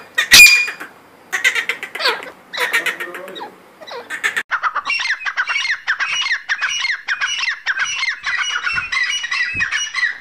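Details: Grey francolin giving a call that begins with scattered squawky notes, then settles into a fast, rhythmic run of strident repeated phrases that carries on through the second half.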